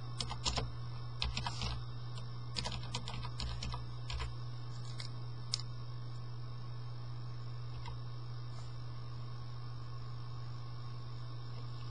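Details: Keyboard typing clatters in quick bursts for about six seconds over a steady low electrical hum, then only the hum continues.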